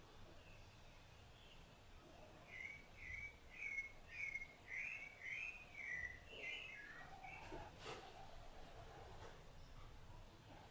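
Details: Rufous-bellied thrush bringing food to its chicks sings a series of clear whistled phrases, slurred up and down, about one per second for several seconds, then fades into softer lower notes and a brief click.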